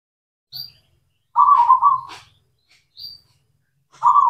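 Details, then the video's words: Local zebra dove song used as a lure to restart doves that have stopped singing: rolling, stuttered cooing phrases, one long and one starting at the end, with brief high chirps and soft low thumps between them. "PANCINGAN PERKUTUT LOKAL, PERKUTUT CEMANI GACOR, AMPUH UNTUK MASTERAN PERKUTUT BISU"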